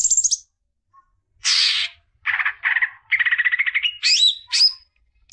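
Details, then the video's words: Greater green leafbird singing to get young birds going: varied phrases of a harsh burst, stuttered mid-pitched notes, a fast even trill and sweeping whistled upslurs, each separated by brief pauses. "CUCAK IJO BIKIN JUNIOR NGETOP GACOR NGEPLONG"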